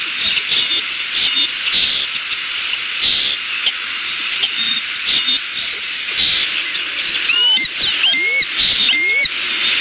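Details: Bald eagle pair at their nest in Southwest Florida, on a nest camera on 14 December 2015 in the late afternoon, calling at a nearby intruder. A burst of sharp, quick piping notes rises and falls near the end over a steady high hiss.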